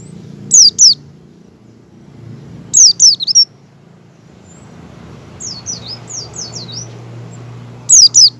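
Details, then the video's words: Oriental white-eye in ngecal style, learning the ngalas song, used as a lure so other white-eyes open their beaks and sing. Clusters of two to five thin, high, downslurred chirps come in short bursts separated by pauses, over a low steady hum. "pleci ngecal dan belajar ngalas cocok buat pancingan pleci agar buka paruh"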